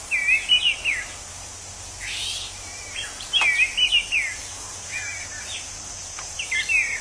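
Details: Orange-headed thrush living in the wild sings short phrases of warbled, twisting whistles about every two seconds, its song likened to drunken mumbling, over a constant insect hum.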